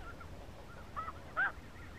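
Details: Snow geese in spring 2017 give two short, nasal, barking honks, the second louder, with fainter calls from other geese and a low rumble behind.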